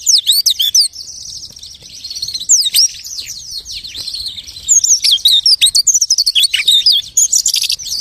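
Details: Imitative lark song opens with quick looping whistles, softens into a thin warble, then swells into loud rapid chirps and descending swoops.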